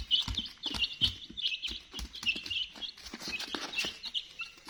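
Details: Chicks of the domestic chicken peep in a crowded chorus, short piercing chirps tumbling over one another, with repeated low thuds and clicks underneath.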